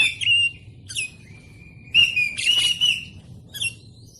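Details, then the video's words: Oriental magpie-robin training song for caged birds: loud pure whistles, a long steady held note, then a harsh rasp over a warbled whistle, closing with a short scratchy call. "Masteran Kacer Tembakan Rapat"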